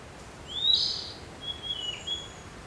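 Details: Singing Narcissus flycatcher: a bright upward-swept whistle, then a string of thin, level, high notes with a brief dip, over low constant background noise.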